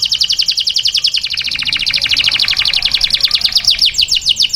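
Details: Canary singing taghreed-style song used to train chicks: a long, fast run of high, thin repeated notes, about three or four per second, steady and bright throughout, ending in sharper downward-sweeping notes.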